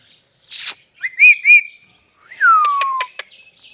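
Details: A pair of pet parrots: a buzzy high burst, then two looping whistled notes, a loud whistle sliding downward, and a quick series of sharp clicks, all clear with no background noise.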